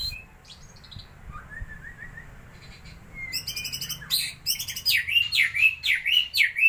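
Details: Song of a white-rumped shama, used as a lure to provoke birds: soft thin notes at first, then rapid buzzy trills and loud repeated whistled swoops toward the end.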